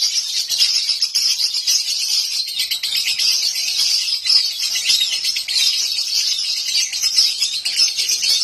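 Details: Lovebird raised at home delivering nonstop 'konslet' song, an unbroken torrent of high, scratchy chirps and squeaks running the whole time at an even loudness.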